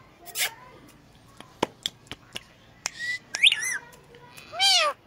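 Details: Pet Indian green ringneck parakeet copying a cat's voice, a few wavering meow-like calls with scattered clicks and taps in a quiet room.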